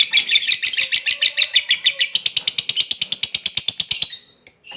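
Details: Lovebird giving a long ngekek chattering song, a lure recording meant to prompt other birds to sing: rapid, buzzy, high notes repeated about three times a second, briefly shifting pitch near the end.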